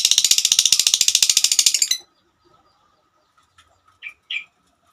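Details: Female lovebird in long ngekek song: a fast rattling trill of harsh high notes lasting two seconds, then silence and two short lower chirps.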